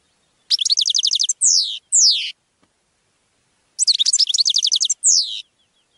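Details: Song of a European goldfinch, used to teach caged birds: two matching phrases, each a rapid buzzy trill followed by one or two down-sweeping notes, about three seconds apart.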